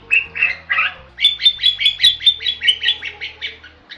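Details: Bali myna giving a few rasping notes, then a long regular series of clipped whistled chips, about three per second, each with a bright high overtone.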